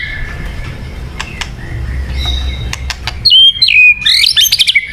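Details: White-rumped shama lure song: quiet faint notes and clicks, then loud sharp whistled phrases jumping up and down in pitch near the end.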